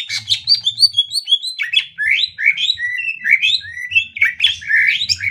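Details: Greater green leafbird song used as a tutoring recording for other birds: a fast, continuous chatter of bright slurred whistles and chirps, rising and falling notes in quick succession, with a low hum in the background.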